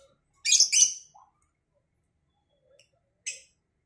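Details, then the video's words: Lovebirds, a Cobalt and a Batman colour variety, answering each other in the morning: a loud, harsh, shrill burst of chirps lasting about half a second, a faint trailing note, then one short shrill chirp near the end. "Saling Saut Burung Lovebird Cobalt X Batman"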